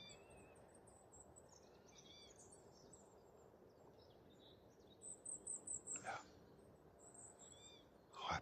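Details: Goldcrest in a young oak tree near a lake, UK, in sunshine, giving very high, thin, needle-like call notes, including a quick run of about six, over steady wind and handling noise, with a man speaking.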